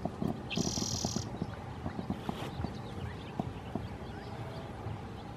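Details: Spotted towhee at Mission Trails Regional Park, San Diego, California, gives one high, dry buzzy trill lasting under a second, over steady low rustling and tapping.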